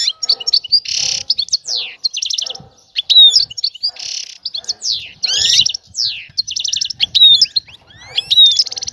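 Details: European goldfinch linked to a female seeking a male to mate: loud, rapid twittering of buzzy bursts, rattles and clear whistled downslurs, alternating in quick phrases with short gaps.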